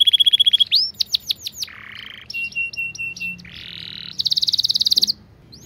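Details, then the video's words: Canary song with quick changes of tour: a high whistle, rapid swooping notes, a lower buzzy roll, clipped repeated chips, another buzzy roll and a high fast trill, all clear and loud. "Masteran Kenari Gacor Speed Rapat‼️Durasi panjang dan jernih"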